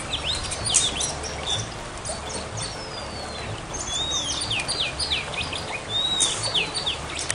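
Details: Sooty-headed bulbul in a fighting song, forest-style voice; bright whistled and chirping phrases, some sliding notes, repeated through a dense background of other high bird notes and hiss.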